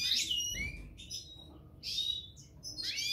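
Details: Goldfinch pair, subspecies parva, giving a few clear high twittered phrases, each a short cluster of sliding tinkling notes separated by brief silent gaps.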